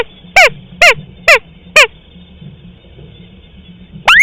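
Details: Crake lure for hunting: four short, evenly spaced descending notes, about two per second. After a pause, a single whistle rises sharply. A faint constant high tone sits behind them.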